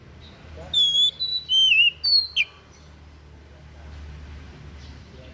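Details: Unusual song of a white-breasted bird, kept for tutoring other songbirds: one rapid burst of sharp whistled notes, some sliding down, others high and clipped, lasting about two seconds, then quiet with low background hum.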